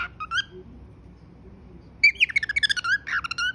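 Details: Pet cockatiel whistling: soft scattered chirps, a quiet pause, then a burst of quick warbled whistled notes bouncing up and down, over a low background hum.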